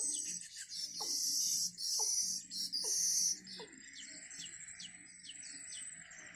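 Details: Newly hatched bittern nestlings at a wild nest, waiting for food, give loud, rapid, harsh high chattering in dense bursts for about three seconds, then softer clipped chirps, with short downward-sliding notes repeating about once a second.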